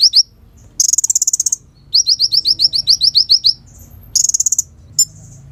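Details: Sunbird called kolibri ninja, natural song used to lure and tutor birds: a quick buzzy trill, then a steady series of about fifteen high, fast-repeated chipping notes and another brief trill.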